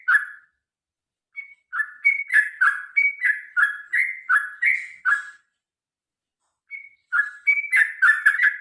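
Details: Long fighting song from a sooty-headed bulbul, meant to make birds sing: a quick run of liquid, falling whistles, then a short lull and a renewed burst.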